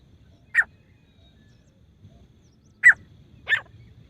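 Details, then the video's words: Female grey francolin voice used as a hunting sound: three short, sharp, clipped notes over quiet background, one alone, then a pair less than a second apart about two seconds later. "Female teetar voice grey francolin hunting sound"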